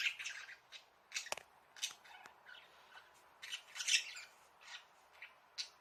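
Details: Caged pet budgerigars in a bird house, recorded with a hidden camera, calling for their owner to come and play: short scratchy squawks and chirps repeated irregularly, with quieter chatter between louder harsh notes.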